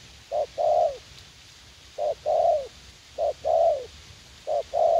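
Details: Young, fight-eager decoy spotted dove calling in a garden area in U Minh, Vietnam, during decoy trapping; repeated phrases of a short low coo followed by a longer, drawn-out falling coo, about every 1.3 seconds, four phrases over steady background hiss.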